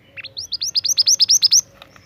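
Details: Scarlet minivet, a young forest bird in energetic song: a rapid series of about a dozen high, bright upslurred whistles, each rising sharply, delivered in under two seconds and growing louder toward the end.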